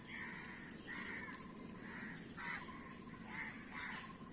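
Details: Many crows calling together: harsh, nasal caws in short bursts, several birds overlapping at uneven intervals, with a steady background hiss.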